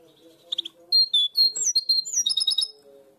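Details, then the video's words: A European goldfinch hybrid in Barcelona sings a blue-tit-like song, a quick, bright twittering of high chirps, short trills and slurred whistles over about two seconds, with a faint low hum underneath. "mixto de jilguero primaveras (herrerillo) a full"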